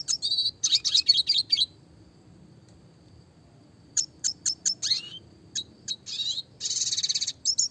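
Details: Red siskin singing in the classic clear style with roll tembak variation: a dense high chattering burst, a two-second pause, then spaced sharp chirps, a downslurred note, and a closing buzzy rattle.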